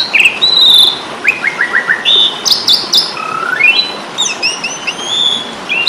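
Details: Asian pied starling in fighting mode, a training recording for songbirds: varied clear whistles, some rising and some flat, with descending stepped notes and buzzy bursts, over a steady background hiss.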